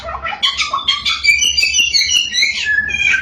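A samyong pours out a loud, continuous warbling song of rapid, varied whistles and chattering notes, rising and falling in quick succession.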